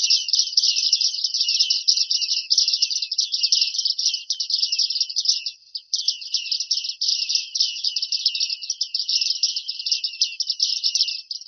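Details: Bearded reedling (Panurus biarmicus) song: a dense, scratchy, high-pitched chatter of rapid ticking notes, almost unbroken apart from one brief pause midway; nothing else is heard.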